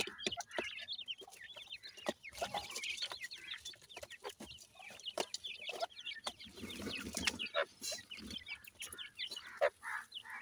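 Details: Feeding grey francolin (dakhni teetar) chicks give soft, rapid high peeps in clusters, with lower murmuring clucks and clicks, fairly quiet overall.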